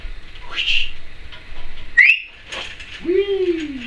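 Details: Pet Timneh African grey parrot, female, indoors, producing varied whistles: a rising note, a sharp upward sweep, then a long curved tone that bends upward and falls away, among mixed chatter.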